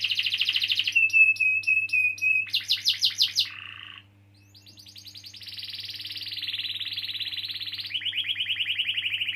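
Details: Canary in full, long rolling song, played to prompt young or silent canaries to sing: rapid pulsed trills, a sustained whistled note, then long buzzy rolls shifting in pitch, with a faint low hum.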